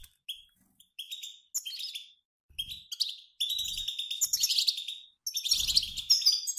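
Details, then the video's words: European goldfinches, a mixed group of males and females, twittering together like a flying flock, used to prompt caged males to sing; bursts of bright, buzzy high chirps and trills in short separated spells, with low thumps between. "بتبتات طائر الحسون المحفزة على التغريد"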